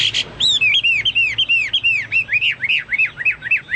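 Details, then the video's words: Chinese hwamei song said to resemble a cucak Papua or cucak mas: a brisk run of repeated arched, clear whistled notes, about four per second, after two brief buzzy chirps. "burung hoa mi seperti cucak Papua atau cucak mas gacor"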